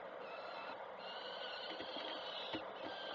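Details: Peregrine falcons at a nest in Koszalin, Poland, on 3 June 2024 as the adult female arrives and the mother feeds a chick; thin, drawn-out high calls rise and level off over a steady, heavy hiss.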